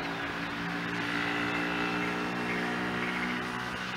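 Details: A low droning engine hum with steady harmonics sits over a broad rushing hiss, and no animal voices stand out.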